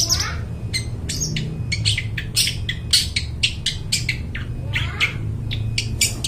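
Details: Long-tailed shrike in full song, its voice described as clear and ringing, for luring wild birds in the forest: harsh, buzzy and squawky notes in rapid irregular bursts over a steady low hum.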